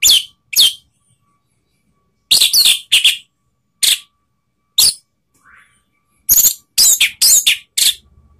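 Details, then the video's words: Orange-headed thrush in Indonesia singing to provoke rivals: short, sharp high bursts spaced by long silences, building to a dense run of rapid scratchy and whistled notes near the end. "ANIS MERAH LAWAN ¦ PANCINGAN penuh TEMBAKAN ¦ KICAUAN Ngeplong"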